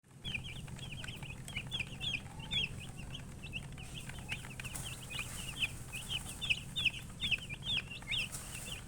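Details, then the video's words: Chicks chirping: a dense stream of short, high peeps, many overlapping, with a low steady hum underneath. "Witty MURGI Baby "Chicks Chirping" Sound"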